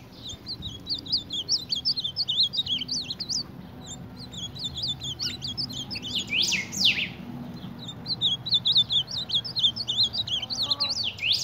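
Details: Ultramarine grosbeak sparring with its mirror image: long bursts of fast, high chattering whistles, broken by a few loud sweeping slurred notes, with a low steady hum underneath.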